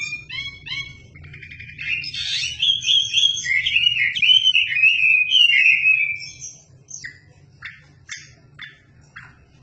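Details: Chinese hwamei (wambi) singing vigorously as a master song for shamas: quick repeated chirps build into a loud, dense, wavering warble lasting several seconds, then spaced sharp notes, over a faint low hum.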